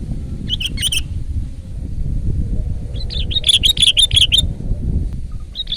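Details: Loud, lively song of a Sooty-headed bulbul: a brief double chirp, then a longer run of quick bubbly whistled notes, ending with a single short phrase over low rumbling noise.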